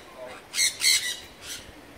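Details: Sun conures at Artis zoo, Amsterdam, giving harsh, grating screeches: two loud bursts in quick succession, a softer third, then another after a short pause.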